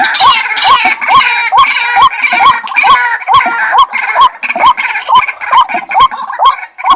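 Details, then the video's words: A White-breasted waterhen repeats brief upward-inflected notes at an even pace while a busy layer of higher, overlapping calls continues throughout. "suara burung ruak"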